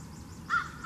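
A single harsh, hoarse crow caw starts about halfway through, after a quiet stretch of low outdoor background noise.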